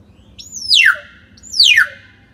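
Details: Common hill myna, played to prompt a silent bird to sing: two loud, clear whistles about a second apart, each opening high and sweeping steeply downward, over faint low background hum.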